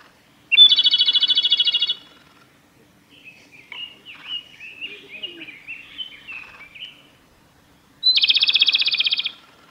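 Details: Male Japanese robin singing at Yanagisawa Pass, Japan, on 25 April 2021: two loud, rapid, rattling trills, each about one and a half seconds and opening with a sharp note, separated by quieter, varied warbling notes from another bird.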